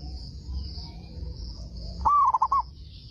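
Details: Zebra dove of a local strain, prized as a frequent, big-voiced singer that sets other doves replying, gives one cooing phrase after quiet: an upward-sliding first note, then a rapid run of four short notes; high steady hum throughout.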